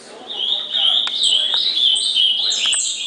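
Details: Ultramarine grosbeak, 'gritão' song style, from 19 August 2014: a continuous warbled phrase of sliding, wavering whistles with brief higher notes on top, loud and steady throughout.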